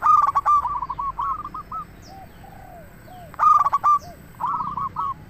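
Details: Zebra dove, local type, in lure song: two loud staccato coo bursts about three seconds apart, each trailing into rapid hooked trilling notes, while softer lower coos from other doves sound faintly between them.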